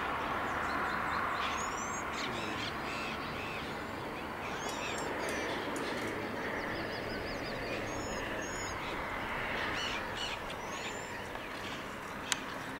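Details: Blue-crowned parakeets at Los Flamencos park, Guajira peninsula, Colombia, in February 2013, give harsh, grating screeches in a busy overlapping chorus mixed with thin high whistled notes, over steady rushing background noise.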